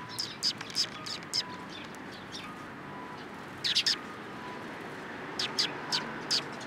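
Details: Sparrows gathering in a cherry tree at a Tenmangu shrine on 21 March 2023: short, sharp high chirps come in scattered bursts, a quick cluster near the start, another near four seconds and more near the end, over faint steady background hum.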